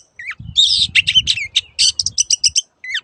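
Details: Long-tailed shrike song used as a master recording to train caged birds: harsh, scratchy high bursts and rapid repeated chattering notes, with a rising whistle at the start and end and a low thump beneath.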